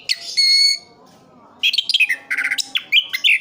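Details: Orange-headed thrush kept in Sidoarjo, East Java: a held whistled note, a short pause, then a quick run of chirps and clipped whistles.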